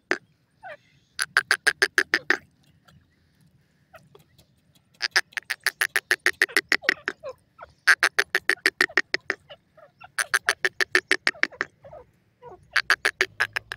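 A partridge gives harsh, rapid chattering bursts, each about a second long with a dozen or so grating notes, repeated every few seconds against a quiet background.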